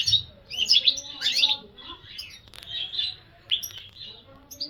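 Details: European goldfinch singing a rapid, tinkling run of bright twittering notes and short trills in bursts with brief pauses, a few buzzy slurred phrases mixed in, clear and close with a faint low hum beneath.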